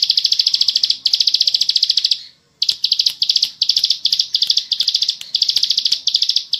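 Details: Bar-winged prinia, locally ciblek sawah, singing fast ngebren trills: long runs of densely packed ticking notes, a short silent gap, then a series of quick bursts.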